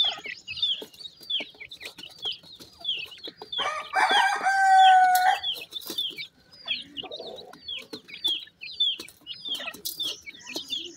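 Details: Young black partridge chicks, called jora partridge, giving a rapid stream of short downslurred chirps about twice a second, with a louder, harsher drawn-out harmonic call midway and scattered clicks and knocks.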